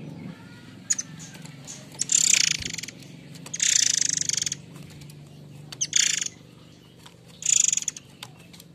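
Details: Murai air mancur, the white-rumped shama, with the harsh lure notes birdkeepers use to teach other birds: four rough, hissing bursts, each about half a second, with thin high whistles at the start, against a faint background hum.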